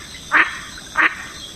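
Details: Mallard duck in Florida giving two short, raspy quacks about two-thirds of a second apart, not very distinctive, over a faint steady background hiss.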